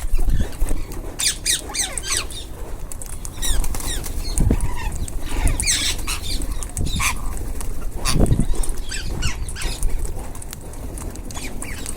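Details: Rose-ringed parakeets feeding as a group give rasping, chattering calls in scattered clusters. Soft thuds and a constant low rumble sit beneath.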